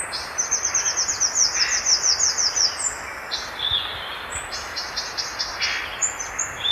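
Violaceous euphonia song: a rapid chatter of high, sharp notes, then bright clipped phrases and buzzy twitters, all very high-pitched, with a soft background hiss.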